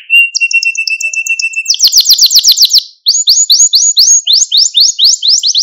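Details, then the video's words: Malta canary singing to stimulate and train canaries: opens with a thin sustained whistle beneath faint high notes, then a loud rapid trill, a short gap, and evenly spaced bright sweeping notes about four per second. "Süper Bir Malta Kanarya Sesi Ve Ötüşü | Kanarya Huylandırma ve Kızıştırma"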